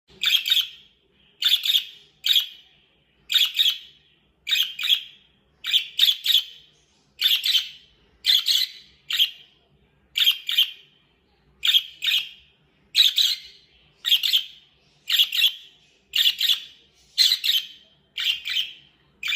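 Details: A pet budgerigar making what is described as happy sounds gives bright, scratchy chirps, repeated in quick bursts about once a second.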